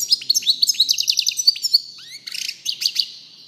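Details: European goldfinch singing: a rapid, tinkling run of high twittering notes with bright liquid trills, then a short pause and a second burst of scratchy, jangling twitters.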